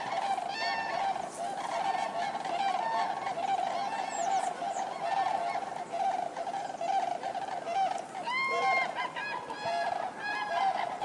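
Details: Large gathering of common cranes producing a continuous clamor of overlapping calls, with several bright, rolling bugles from close birds repeated over roughly a minute's pace of about seventy calls.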